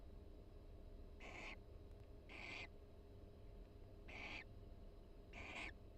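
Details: A barn owl pair in a nest box at the University of Florida, calling quietly while preening each other in the breeding season; four short, breathy, hissing bursts, each about a third of a second, spaced irregularly over steady low background hum.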